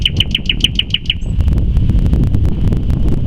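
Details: Common nightingale in song, May 2014: a bright, fast burst of about eight identical piping notes repeated at an even pace, stopping abruptly, followed by low rumbling background noise and faint clicks.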